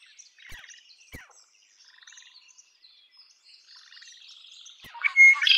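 Red-winged blackbird: soft, high chattering notes and a few sharp clicks, then a loud, harsh, buzzy burst at the end that is cut off.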